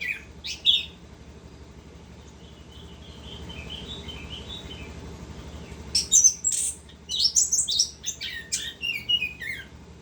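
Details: Continuous ngerol singing from an orange-headed thrush. A sharp whistled burst is followed by a soft, wavering warble. Then comes a dense stretch of high, rapid, slurred whistles and chirps with sudden jumps in pitch. Low background hum throughout.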